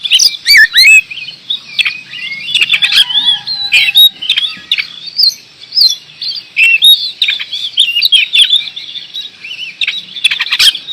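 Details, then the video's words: Vigorously singing kacer, or oriental magpie-robin, from Indonesia: a long, busy medley of whistles, chatters and squeaky notes, running almost without pause and punctuated by loud snapping clicks. "Kacer gacor door"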